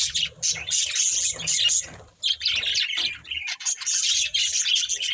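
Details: Several pet budgerigars playing, giving dense, scratchy warbled chatter with quick chirps, nearly continuous apart from a brief pause near the two-second mark; faint low rumbles underneath.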